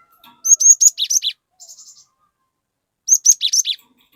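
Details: Cinereous tit in full song, used to lure an untrained tit into singing along: two bursts of high, sharp whistled notes dropping into quick chips, separated by a soft twittering phrase and a short silence.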